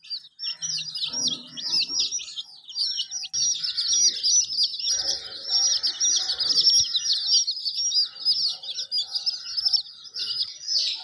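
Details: Chicken: a hen with her colourful chicks, heard as a constant chorus of high, shrill peeps from many young birds, overlapping with no pause, with a few faint lower sounds in the background.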